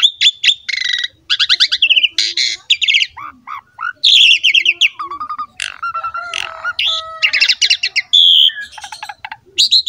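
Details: Asian pied starling in vigorous song, used to spur young, male or female starlings into singing: long varied stream of chattering, buzzy rasps, whistles and harsh squeaks with brief pauses.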